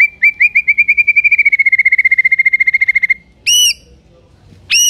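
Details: White-rumped shama singing to make other shamas answer: a fast even series of about thirty short whistled notes lasting three seconds, followed by two loud ringing high calls.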